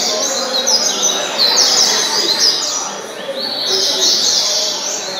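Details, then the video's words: Captive rusty-collared seedeater, a novice competition singer, in a loud continuous song of fast sweet chirps and twittering trills at a steady high pitch, with faint voices in the background. "Coleiro dengoso."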